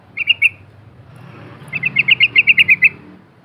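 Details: Yellow-vented bulbul lure sound, a few quick notes followed by a steady run of about ten bright, evenly spaced chirps over low background hum.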